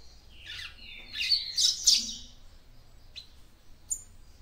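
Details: Female papa-capim seedeater song meant to excite a male: a rush of rising and falling high twittering notes building to loud buzzy bursts, then a couple of isolated sharp chips.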